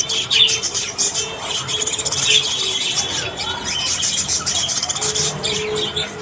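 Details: Australian budgies in the morning, chattering with high scratchy notes, short whistles and a few drawn-out tones, several birds calling over one another.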